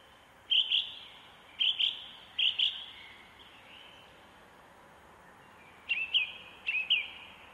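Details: Canada goose with goslings in nature around Hilvarenbeek, 2022: high, sharp peeping calls given in quick pairs, several bursts spaced a second or so apart, over a steady background hiss.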